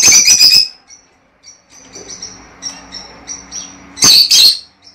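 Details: Breeding pair lovebirds' mating call: a fast shrill chatter opens, followed by faint high twitters and a soft hum, then another loud, squeaky burst of rapid notes.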